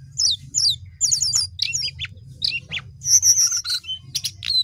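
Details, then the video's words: Sooty-headed bulbul singing energetically: paired high downslurred chirps, quick twittering clusters and a buzzy high trill, repeated in bursts over a steady low hum. "jongkangan gacor"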